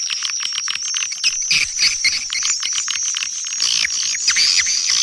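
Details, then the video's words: Swiftlet calling and roosting sounds recorded in high quality in Kampar, Riau, for attracting swiftlets. Busy colony chatter of thin, high chirps and quick clicking trills, with brighter squeals swelling near the end. "Suara Panggil Burung Walet"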